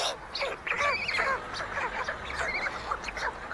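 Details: White stork chicks at a chimney-top nest in Ságvár, Hungary, on May 22, 2024, while older siblings steal food from the youngest; dense overlapping arched, nasal calls with bright harmonics, rising and falling rapidly, over low steady background hum.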